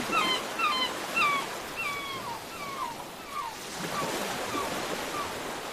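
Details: Gulls on the coast with waves breaking: a run of loud, repeated, downward-sliding yelps with ringing overtones opens the recording, then fades into fainter, more widely spaced calls as the surf swells.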